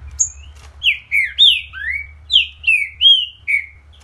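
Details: Trinca-ferro, the green-winged saltator, in energetic full song: rich slurred whistles that swoop down and sometimes rise, about nine strong notes in quick irregular succession, a high thin note opening the phrase, faint low background rumble.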